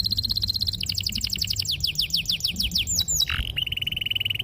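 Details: Canary song for training young birds to sing: a steady trill shifting into a descending series of quick slurred notes, then a sharp whistle and a steady pulsed roll.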